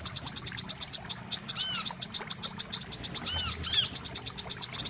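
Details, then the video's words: Wiceh lure call used for trapping birds: rapid high thin chirps repeated about eight times a second in a steady stream, with occasional louder arching, overtone-rich notes breaking in. "suara pikat burung wiceh"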